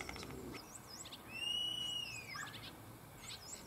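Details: Two male common starlings singing in competition from a cherry tree in Germany, mimicking other animals; long drawn-out whistles slide slowly up and down among quick wavering high notes, fairly faint over background hiss.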